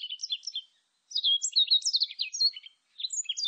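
A warbling white-eye sings a fast, high, jumbled twitter in three quick bursts with short pauses between them, over a quiet background.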